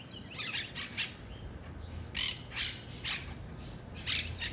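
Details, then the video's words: Wild monk parakeets giving short harsh squawks in scattered bursts, some close together, with quieter chatter in between over a low background rumble outdoors. "Finally got video of the wild Monk Parakeets!"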